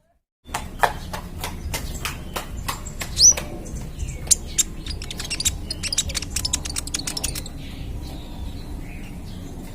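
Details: Ruby-cheeked sunbird of the trotol type, singing actively in full 'tembakan' style: sharp high clicks spaced about half a second apart, speeding into a dense chattering rattle of thin, rapid notes, over a faint low hum.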